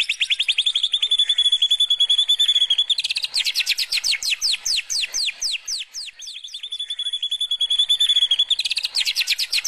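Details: White-rumped shama singing canary-style 'kenarian' bursts: a steady high buzzing trill runs for about three seconds, then rapid downward-sweeping whistles repeat about four times a second, and the buzzing trill returns.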